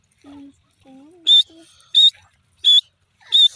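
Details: Grey francolin, the local teetar, calling with loud, sharp, high notes repeated roughly every two-thirds of a second, four in all, after a few soft low tonal sounds at the start.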